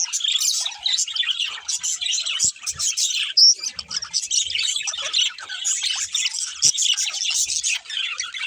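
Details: Group of budgerigars chirping, a constant jumble of bright twitters and chatter, one sharp rising squeak standing out midway.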